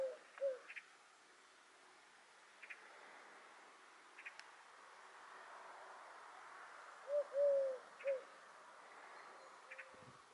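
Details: Little owl at night at Roquesérière, France, 5 August 2022: short mellow slightly falling whistled notes, a few single and a quick group of three, over a steady night hiss with faint clicks.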